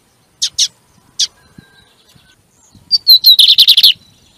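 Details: Double-collared seedeater song used to stimulate another bird during training: three sharp chips, then a rising whistle leading into a rapid series of repeated buzzy notes.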